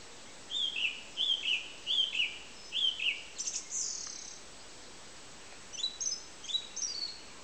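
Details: Song thrush singing: a clear, slurred two-part phrase repeated four times in quick succession, then a high, scratchy note and a different short chirping phrase repeated several times. Light background hiss.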